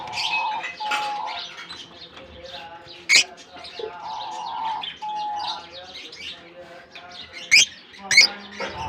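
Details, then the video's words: A colony of lovebirds in Germany, freshly released into their aviary for summer, keep up a busy chatter of quick, high chirps, several sharp clicks and tonal whistles. A person talks quietly in the background. "Japan lovebirds release in colony season off come to summer 🌞 off season bird good chirping sound"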